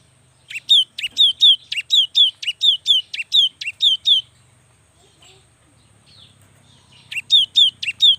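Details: Young cinereous tit singing vigorously, used to prompt lazy birds to sing: a run of two-note phrases, a sharp high note then a falling whistle, repeated rapidly for about three seconds, then a pause and a short new burst.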